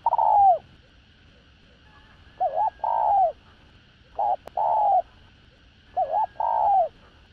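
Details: Spotted dove, a decoy bird cooing to lure other doves, with a full calling, urging and cooing sequence; low mellow coos in phrases of a short double note then a longer falling coo, repeated about every two seconds; faint steady hum.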